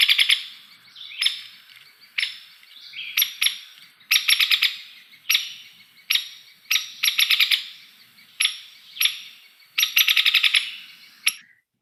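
Hairy Woodpecker: sharp, rapid rattling whinnies that hold a steady pitch rather than falling, repeated in quick bursts about every second. No other sounds.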